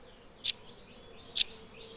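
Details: Blue nuthatch giving two sharp, high chip notes about a second apart over a steady low background hiss.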